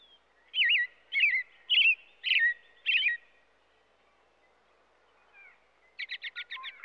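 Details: American robin singing five loud, rolling, whistled phrases roughly every 0.6 seconds, then a brief lull before a fast burst of six short sharp notes.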